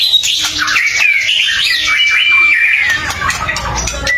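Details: White-rumped shama song played to goad other shamas into singing back: dense, continuous high warbling with a long steady whistle through the middle and faint low rumble beneath.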